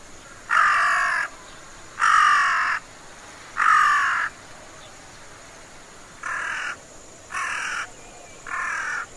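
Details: Collared crow in China, now uncommon, giving six harsh caws about a second apart: three long, loud ones, then three shorter, softer ones, pitched higher than carrion and large-billed crows, with a faint steady hiss behind.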